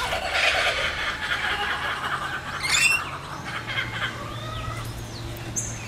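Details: Kookaburras, a family of two adults and two mature young, behaving unusually, perhaps playing or showing aggression: harsh, loud chattering cackles at the start, then fading squeaky notes with a steady low hum behind.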